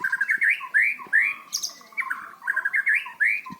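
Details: Loud, varied white-rumped shama song for training young birds not to sing monotonously: mid-pitched slurred whistles and rising phrases in quick succession, with a few higher squeaky notes in between.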